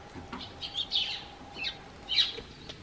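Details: Eurasian tree sparrows on a garden bench call out to a person stepping out of the house: a few short, bright chirps with sliding tones, spaced irregularly, over a quiet background with a faint steady hum.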